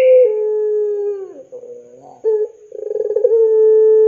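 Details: Puter pelung dove calling as a lure for young doves: a long steady coo that sags at its end, soft low notes, then another coo rising from a rapid pulsed flutter into a sustained even tone.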